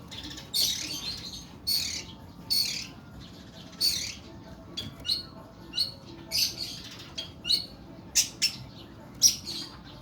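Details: Oriental magpie-robin (kacer) of the Kuku Bima type, delivering long, coarse 'nembak' song: a run of a dozen or so rasping, scratchy bursts mixed with short sharp whistled notes, coming roughly every half second to second.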